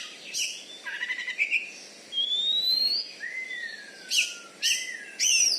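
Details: Caged champion Oriental magpie-robin, a competition songbird from Bengkulu, Indonesia, noted for a loud voice and a fighting style that overpowers rivals. Sparse clear whistles: some rise, some fall in long slides, with short sharp bursts near the end.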